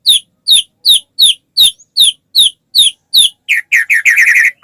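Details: White-rumped shama song played to prompt other shamas to sing along: a regular series of high, sharply descending whistled notes roughly every 0.4 seconds, breaking into a fast, dense rattling trill near the end.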